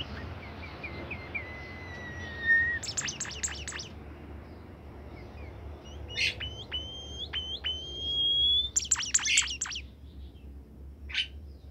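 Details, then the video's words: Caged bimoli bird singing sparsely. A descending series of thin whistles is broken by bursts of high, sharp chattering notes and a long level whistle with brief accents. "fuul gacor burung bimoli"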